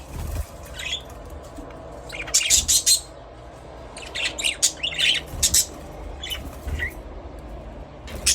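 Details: Budgerigar chattering in clusters of quick, scratchy chirps and squeaks with short pauses between groups, over a faint steady background hum.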